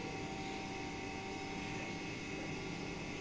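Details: Constant broadband roar like an aircraft or engine fills the recording, with no animal sound.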